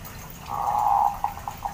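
Zebra dove giving a soft, drawn-out mid-pitched coo followed by three short quick notes, over faint background hiss.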